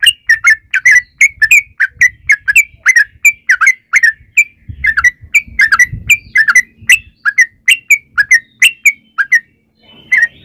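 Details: Yellow-vented bulbul singing a long 'ropel' lure song meant to prompt other bulbuls to answer: a steady stream of liquid, bubbly whistled phrases, each a quick descending slur, repeated several times per second, with faint low rumble.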